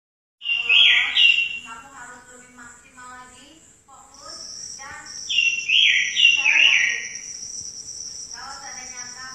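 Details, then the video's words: A robin sings loud, sweet descending warbled phrases in two bursts, mixed with quieter twittering, over a steady high insect-like hiss. "Suara Burung Robin"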